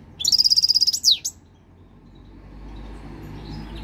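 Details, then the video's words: European goldfinch, three years old and coming into breeding condition, gives a fast even trill of about a dozen high notes ending in a sharp downward sweep, then quiet hum. "Estimulante Jilguero"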